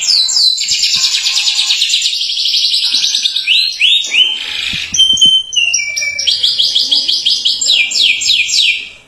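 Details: Atlantic canary performing long 'gacor' song meant to get other canaries singing: an extended fast high trill, a mix of slurred and stepped phrases, then a rhythmic series of crisp repeated chips that fades out.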